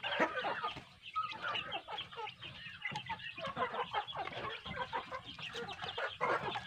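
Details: Chirping from a flock of big chicks kept on a farm and fed good feed: many sharp, high peeps in quick irregular bursts, some rising, packed closely together.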